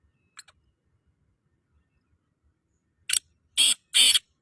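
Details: Black francolin giving a call: after nearly three seconds of quiet with one faint early note, a series of loud, grating, buzzy notes bursts out, a short lead note followed by longer harsh rasps at a steady pace.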